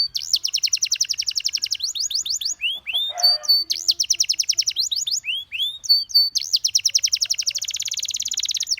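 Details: Canary singing rapid rattling trills at high pitch, interrupted by looping whistled sweeps and a low soft note, then resuming fast repeated tours of notes.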